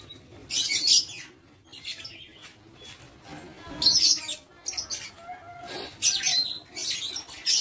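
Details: Lovebirds in an aviary, recorded on 7 April 2023, giving three separate bursts of harsh, shrill screeching with quiet gaps between them.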